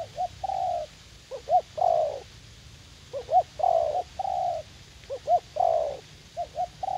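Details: Spotted dove, a caged young decoy eager to fight, in a U Minh garden; low mellow coos in repeating phrases of short paired notes and sustained croons, regular pacing, faint low hum behind.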